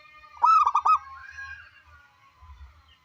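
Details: Zebra dove of the local wild type, a keen singer with a big voice, gives one rippling coo phrase of quick pulsed notes, followed by a fading drawn-out tone and low rumble; sung to prompt other doves to sing.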